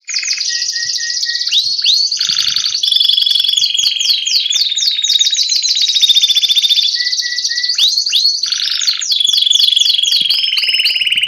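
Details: Belgian canary, copper-coloured, singing vigorously: a continuous, loud high-pitched song of rapid trills, fast repeated notes and sweeping whistled slides, with short steady whistled tones between the trilled phrases.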